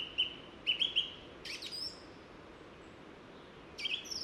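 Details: Song thrush in sunny mountain woodland on a hike in the Vallée d'Ossau, Pyrenees: a few short, clear whistled notes and scratchy chirps in quick bursts, a pause, then another phrase, over faint hiss.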